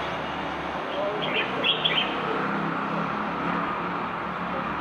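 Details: From a Marrakech balcony on 15 February 2020, a Common bulbul gives a quick phrase of three or four fluty, slurred notes midway through, set against constant city background noise.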